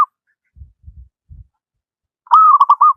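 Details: Short, low knocking sounds, then one zebra dove phrase: a steady cooing note running into three or four quick bubbling notes. The bird is a local wild one, singing often.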